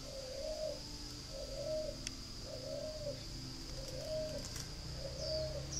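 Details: Spotted dove from a Ba Vì, Hanoi breeding farm in northern Vietnam, cooing in evenly spaced, soft rising-and-falling notes roughly every second, five in a row, with faint clicks and a steady hum.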